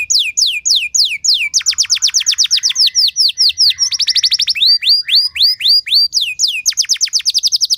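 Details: Canary song used as training material with rich song variations meant to draw other canaries into singing: fast series of high downslurred whistled notes, several per second, shifting into clipped trills and rising-falling phrases.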